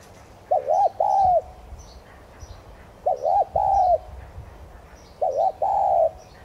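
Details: Decoy spotted dove (Streptopelia chinensis tigrina) in 'thúc gù' style, used to spur newly caught birds into cooing: three hoarse two-part coos roughly every two and a half seconds, a short rising note followed by a longer drawn-out one.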